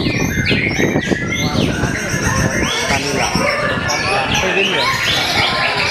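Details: Slow but penetrating song of a white-rumped shama: bright whistled notes and quick up-and-down slurred phrases repeated in bursts, set among other chirping birds and constant people chatter.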